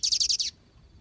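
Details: Double-collared seedeater out in the bush beside a free-living one, giving a brief burst of five loud, high, rapidly repeated chirping notes, each sliding downward, lasting half a second before falling silent.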